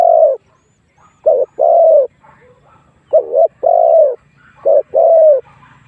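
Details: Spotted dove lure call to entice wild doves to fight: three clear phrases, each a quick coo followed by a drawn-out, slightly descending croo.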